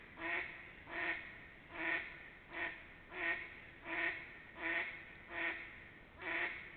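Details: Nine rasping duck quacks in a regular run, one about every three-quarters of a second, recorded in spring between 28 March and 3 April 2021 with little other sound.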